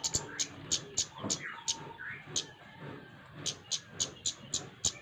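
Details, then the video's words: Lively flowerpecker producing rapid, bright, high-pitched ticks in short bursts with brief pauses, over soft distant whistling and low room noise. "Burung cabe cabean gacor"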